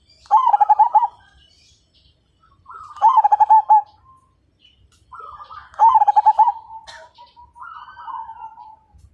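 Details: Lively Majapahit zebra dove singing to get other birds cooing: three rhythmic bursts of fast, throaty pulsed notes, each trailing into a quieter, longer wavering coo.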